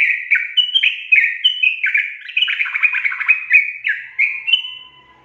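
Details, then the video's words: A sooty-headed bulbul sings to prompt idle birds: steady flow of chirpy, liquid whistled phrases, slightly harsher and more jumbled in the middle, fading out at the end. "PANCING TRUCUKAN MALAS BUNYI JADI GACOR"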